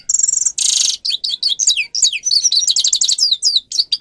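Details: Grey-crowned goldfinch tutor song for training birds to sing: a high trill, a loud nasal buzz, then lively tumbling twitters and down-slurred whistles.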